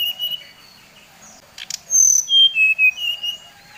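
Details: Brown-chested jungle flycatcher from Bali singing a lure song used to provoke rival birds: clear high whistled notes, several short level and slightly falling whistles in a loose run, with faint clicks in between.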